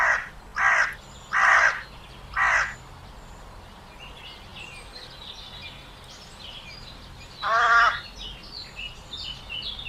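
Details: Crow giving a series of four harsh caws in the first three seconds, then a quieter gap with faint high bird chirps in the background before one more loud caw near the end.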